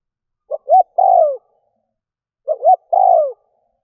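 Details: Spotted dove kept as a decoy to lure wild doves, giving two identical low phrases about two seconds apart, each a quick pair of notes then a sustained coo curving downward, with clean silence between.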